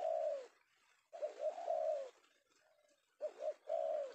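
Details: Male spotted dove (tekukur), the penguku bird captured one afternoon in Indonesia: a drawn-out soft coo, then a three-part rolling phrase, a pause, and a final two quick coos and a long note.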